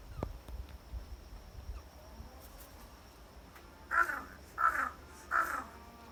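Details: Crow on Ishigaki Island uttering three hoarse, nasal 'ahau' calls in quick succession near the end, each under a second apart, after a quiet stretch with faint thumps and low hum.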